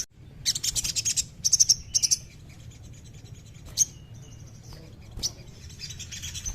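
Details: Very high-pitched, rapid chattering trills from a crimson sunbird, played to encourage a caged bird to sing, come in three clustered bursts, followed by isolated sharp chips and a thin, quieter trill against low background hiss.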